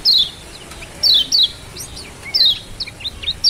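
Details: Lombok mountain white-eye, known locally as kecial kuning, giving a 'ciak' lure recording meant to make a quiet bird sing: short high descending chirps, each a quick downward slide, spaced about a second apart over a faint background hiss.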